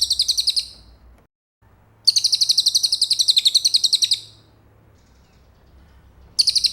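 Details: Cililin singing for white-rumped shama training: high, rattling trill phrases with sharply pulsed notes about four per second-tenth. A short burst, then a two-second trill, then another begins after a quiet gap.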